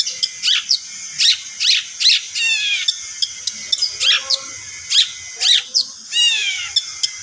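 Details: Long-tailed shrike song used as a pancingan (lure) recording: harsh, ringing, harmonic notes in short varied bursts, some rasping and some sweeping, delivered in quick irregular phrases over a steady background hiss.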